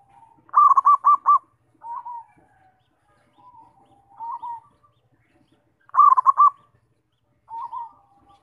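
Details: Zebra dove singing to provoke other doves into song: two loud bursts of rapid, stuttering rolled coos, each followed by softer, lower single coos, with quiet pauses between phrases and no other sounds.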